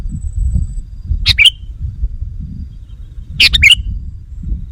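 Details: Sooty-headed bulbul call played to lure wild bulbuls: two brisk bubbly phrases roughly two seconds apart, each a tight cluster of chirpy, slurred notes ending in a short whistle, over steady low-pitched background noise.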